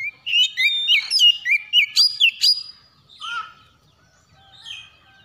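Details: In the morning, an Oriental magpie-robin delivers a fast string of sweet slurred whistles, rising and dropping in pitch, then trails off into a few softer, quieter notes.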